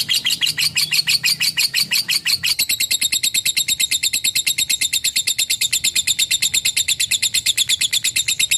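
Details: Rapid lovebird 'ngekek' chatter. Loud bright chips run together and then settle into a very regular, slightly higher and thinner stream of repeated notes.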